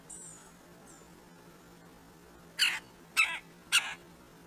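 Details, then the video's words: Red-breasted woodpeckers, two of them, visiting a squirrel feeder: after a faint high whistle, three loud, rasping, clipped calls come in quick succession roughly every 0.6 seconds, with a low hum beneath. "Two Red Breasted Woodpeckers at the squirrel feeder"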